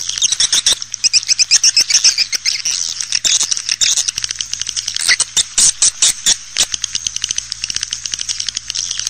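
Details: Swiftlet calls used to lure swiftlets into a bird house: dense, rapid, high metallic chirping and twittering, overlapping clicks in a continuous chattering stream.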